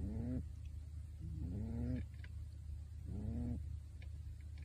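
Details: Pet pigeon in a bird suit snoring while asleep: three short low grunting breaths that rise slightly, spaced about one and a half seconds apart, against a faint low hum.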